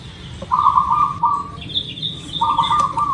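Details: Zebra dove of local type, singing as a lure for birds: two loud, low, rippling phrases of fast coos, the first longer, while a thin high whistle from another bird sounds between them.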